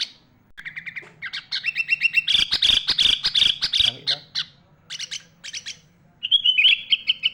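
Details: Caged sooty-headed bulbul, kept as a tutor bird for young bulbuls, singing a rich song with mimicked phrases of other birds: quick stuttering chirps and buzzy notes, a dense run of loud rapid notes, then a clear whistled trill.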